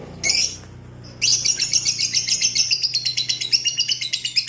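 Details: Lovebird opens with a buzzy squawk, then launches into a long ngekek trill of rapid, pulsing high chatter lasting over three seconds, a sound used to provoke and train other lovebirds; faint low hum behind.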